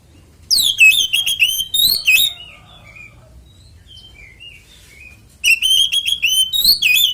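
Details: Oriental magpie-robin fighting song for triggering other magpie-robins to sing: energetic strings of sweeping whistles and sharp chips, separated by a quieter interlude of short soft warbled notes, then another loud burst.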